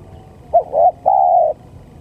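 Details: Spotted dove lure call for trapping: one phrase of two quick coos followed by a long, even, mellow coo, clean and close.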